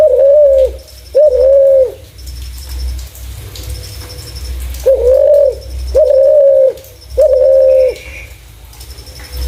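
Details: Spotted dove, valued for its clear voice as a lure for other doves, coos twice, pauses about three seconds, then gives three more level, sustained coos; a low hum runs throughout.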